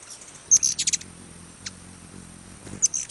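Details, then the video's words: Ruby-throated hummingbird in Wisconsin giving very high, thin, squeaky chips in quick bursts: a tight cluster early on, a lone note midway, then another short burst at the end, with a faint low hum underneath. "Wisconsin Bird Sounds - Ruby-throated Hummingbird"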